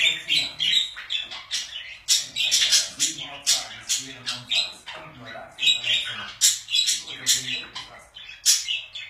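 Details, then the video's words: Several pet budgerigars chattering continuously: dense, scratchy, high chirps and squawks in quick bursts, rising and falling across nine seconds with hardly a pause. "Budgies / Parakeets / Wellensittiche"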